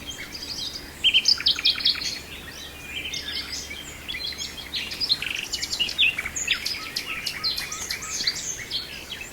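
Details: Nightingale singing in Brijeste: a dense run of varied high phrases, bright whistles, rapid chirps and buzzy trills, with louder bursts around the first and fifth seconds over quiet background hiss.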